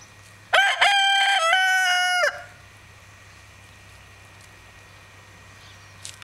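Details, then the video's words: A young Agent rooster (a new Danish breed from Odsherred) gives one loud, ringing cock-a-doodle-doo under two seconds, broken into a few stepped syllables, followed by a low steady hum. "Agenthanen galer - Crowing Agent-rooster"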